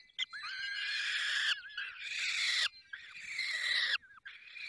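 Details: At a falcon nest in the Barycz Valley, Poland, during feeding, harsh drawn-out screeching calls come in three long bursts of about a second each, separated by brief gaps.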